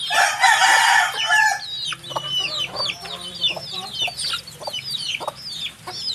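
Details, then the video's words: A loud, harsh, noisy burst opens, then baby chickens take over with quick, shrill, looping peeps, many birds calling over each other. "HUNI NG SISIW, ACTUAL FOOTAGE CHICKS SOUND"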